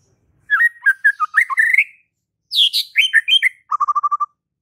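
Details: White-rumped shama (murai batu) delivering varied warbled whistles, a rising squeaky phrase, a higher rasping burst, and a closing fast trill of even notes.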